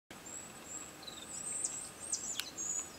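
A Goldcrest sings very high, thin, needle-fine notes in a quick run, with a faint background hiss.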